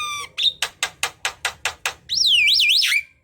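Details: Chattering Javan myna song, meant to coax reluctant mynas to sing: a short whistle, then eight evenly spaced harsh rasping notes, ending in a loud wavering whistle that swoops up and down.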